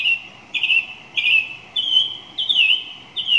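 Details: Song thrush singing: clear whistled phrases, each about half a second long, slurred and slightly falling. Similar phrases are repeated roughly every 0.6 seconds in a steady series, with no other prominent sounds.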